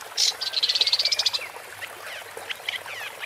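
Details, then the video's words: A woodchat shrike (Lanius senator) sings a loud, harsh note followed by a rapid, even trill of around fifteen high, buzzy notes, then softer scattered chirps and slurred calls. "Woodchat Strike (Lanius Senator) Bird Song"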